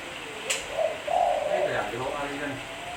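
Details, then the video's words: Clean spotted dove cooing for use as a lure: one soft, low, rolling coo phrase under a second long, preceded by a sharp click, then faint trailing notes. "Suara Burung Tekukur Bersih-Suara Burung Tekukur Buat Pancingan"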